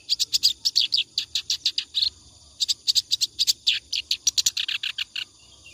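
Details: Clamorous reed warbler singing nonstop, presented as a tutor recording for training other songbirds: rapid bursts of harsh, chattering high notes, with short pauses near two seconds and before the final phrase.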